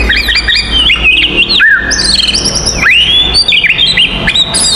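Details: Fighting song of an oriental magpie-robin, used to provoke other magpie-robins: varied sweet whistles mixed with sharp high chips and rising slurred notes, delivered continuously with little pause, over a faint low hum.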